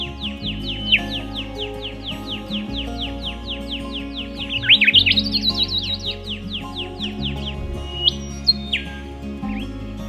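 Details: Rufous whistler pair in scrub, the male putting on a show in hot weather: a long string of rapid downslurred whistles, then a louder jumbled flourish and a few rising-falling whistles, with background music throughout.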